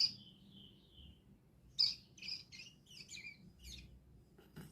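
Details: Wild bar-winged prinia singing in the ngriwik style: high, sharp whistled and trilled notes, first a drawn-out falling whistle, then a quick run of short chirps and twittering phrases, with a low background rumble.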